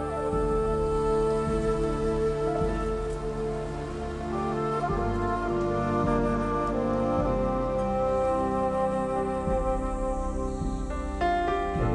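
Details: Soft, sustained instrumental music with gentle rain-like texture plays throughout, with no animal voices.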